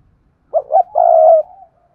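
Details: Spotted dove kept as a lure bird, giving its daily urging and calling coos: two short hoarse notes, then one long, steady, low hooting coo that trails off softly, in a quiet setting.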